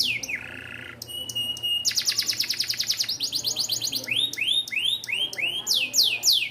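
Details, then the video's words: Young canaries' tutor song from a small standard AF canary, bon-coloured: a low buzzy trill, clicking notes, a fast loud rattle, then arched whistled notes repeated rapidly, with faint hum underneath. "BURUNG KENARI AF STANDAR KECIL WARNA BON COCOK UNTUK MASTERAN KENARI MUDA"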